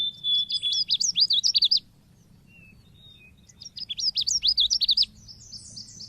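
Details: Oriental white-eye (pleci) in an Indonesian lure recording meant to provoke birds into singing: two rapid bursts of sharp, high zigzag twitters separated by a short quiet gap with soft notes.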